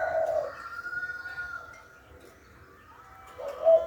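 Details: Spotted dove calling; soft low coo notes at the start and end, with a long faint whistled tone and light background hiss between them.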